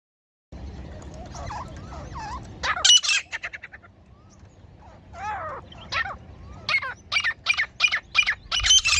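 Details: Female grey francolin call used as a hunting lure: after soft chattering notes, a loud burst, then a rapid series of sharp, high, evenly spaced notes repeated about twice a second, growing louder toward the end.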